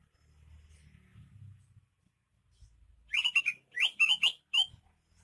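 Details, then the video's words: Greater green leafbird from Banyuwangi: after a soft low rumble, two short clusters of sharp, bright whistled notes with quick downward sweeps. "Suara kicauan burung cucak ijo KTP Banyuwangi gacor"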